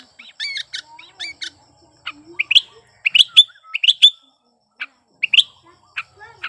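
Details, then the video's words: A Sooty-headed bulbul in breeding condition sings as a lure for birds that will not sing: clear chirped notes, some bending upward, given in irregular groups of two or three against a quiet background. "Suara Burung Kutilang Gacor Birahi Ampuh Untuk Pancingan Kutilang Malas Bunyi"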